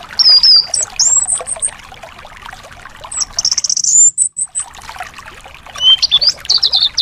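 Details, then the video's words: High thin whistled thrush phrases, some trilled, separated by a quiet gap, with busy chirping behind. Recorded to coax caged thrushes that refuse to sing. "terapi anis males bunyi/anis macet"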